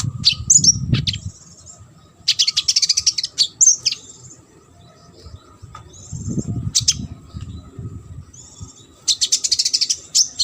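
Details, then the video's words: Brown-throated sunbird, recorded for competition-bird training. Harsh, buzzy rattles and high chirps come in several bursts, with low rumbling noise between them. "KONIN GACOR ISIAN MASTERAN UNTUK BURUNG LOMBA."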